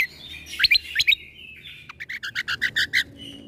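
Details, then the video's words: Leafbird (cucak kombo) song for training young white-rumped shamas: a few bright whistled flicks, then an even series of about ten short, identical chips repeated several times a second. "Putarkan MAsteran Cucak Kombo Ini Agar Punya Karakter Suara Tembakan"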